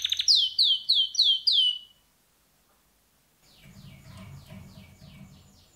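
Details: Male pet canary singing a series of five bright, downward-swooping whistled notes in quick succession, a two-second pause, then softer repeated buzzy sweeps with faint low background rumble.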